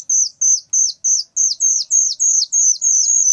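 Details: Very loud whistling thrush chick giving piercing high chirps, each a short level note with a downward flick, repeated about three times a second.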